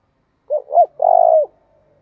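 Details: Spotted dove calling to provoke other doves into 'thổ' voice: two quick rounded coos followed by a longer, rattling, buzzy coo that drops at the end, in a quiet setting.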